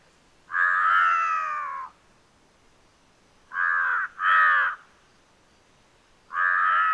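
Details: Hoarse calls of a Large-billed Crow: a long, drawn-out rasping caw lasting over a second, then a quick pair of shorter harsh caws, and a final caw starting after a gap. Faint background hiss.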